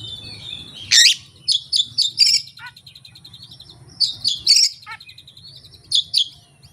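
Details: Oriental magpie-robin singing its learned repertoire with no tutor recording and no rival bird: a loud rasping burst, then rapid runs of sharp high chips and trilled phrases, repeated in two bouts over a faint low hum.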